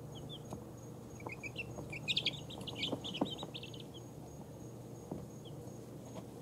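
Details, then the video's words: Two-week-old chicks of several breeds, among them ISA Brown, Barred Rock, Easter Egger, Speckled Sussex and Australorp, falling asleep; a burst of overlapping high cheeps in the middle, then quieter scattered peeps over a low hum. "Cute baby chickens falling asleep"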